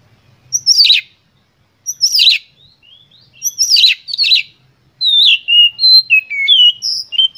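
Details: Lively Oriental magpie-robin lure song intended to rile up other birds: three harsh descending scratchy phrases about every 1.5 seconds, then a fast string of sweet, varied whistled notes.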